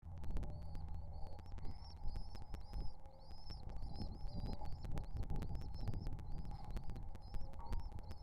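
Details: Hungry pigeon nestlings begging as they are fed: thin, high squeaky notes with a slight rise and fall, repeated rapidly over a loud low rumbling background with sharp clicking taps.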